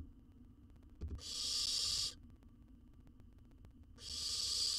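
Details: Wild baby owl in a monitored nest box in Israel, filmed by a research camera while swallowing a jird whole. Two long, breathy hisses about a second each, with a faint knock before the first.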